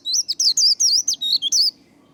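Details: Short 'líu' phrase from a white-eye, played to stimulate and train singing: eight rapid high whistles, sliding up and down, over under two seconds, then quiet.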